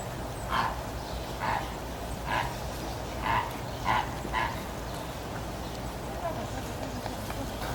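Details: Greater flamingos moving to their winter enclosure: about six faint, goose-like honks spaced roughly a second apart over a steady low background hum.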